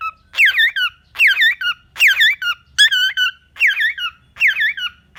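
A cockatiel gives repeated squeaky, warbling whistles, each phrase swooping down then up, about once a second.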